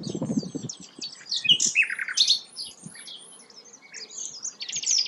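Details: Sikatan londo flycatcher in lively song: scattered sharp high chirps and twittering notes, a short buzzy trill at the end, with low thudding noises at the start.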